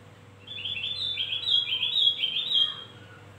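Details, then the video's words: Javan grey-throated white-eye lure song meant to attract birds, a rapid cascade of sweet, high chirped notes in clustered phrases, backed by a low steady hum. "Opior Jawa pancingan gacor dor"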